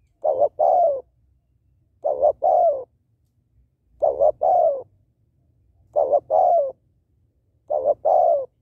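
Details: Female spotted dove calling to stimulate males, used to train and lure birds: soft cooing phrases of two short notes then a longer falling coo, repeated about every two seconds, five phrases.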